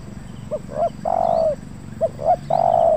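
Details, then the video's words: Trained spotted dove (tekukur), cared for nearly five months, cooing on its first ground outing in the stuttering big-voice style: two short notes then a long, low coo, given twice over a steady background hum. "Ajaran suara besar kuk 1 gagap panas 2 kali"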